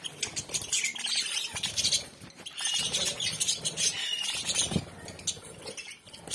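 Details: Flock of budgerigars (Melopsittacus undulatus) in a home colony chattering with dense, high chirps and warbling twitters.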